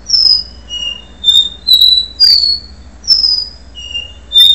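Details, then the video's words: Before moult, a capuchino seedeater whistles its do-re-mi song: pure sustained notes about every half second, alternating high and lower pitches, some sliding slightly downward, with a short break before the phrase resumes. "caboclinho do re mi - cicatriz antes da muda"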